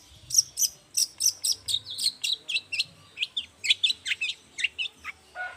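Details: Morning song of a Long-tailed shrike used to coax other shrikes into singing: a long, even series of sharp, squeaky chirps and short slurs, several each second, over a low murmuring background, ending in a lower harsh note.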